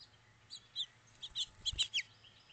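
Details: House finch giving a quick run of varied high chirps and short downslurred notes over about a second and a half, in a quiet background with a faint low hum.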